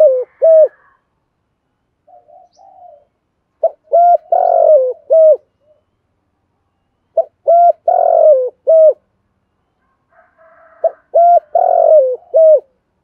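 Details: A spotted dove, used to stimulate other doves to coo, repeats its deep, mellow coo phrases in short bursts separated by brief pauses.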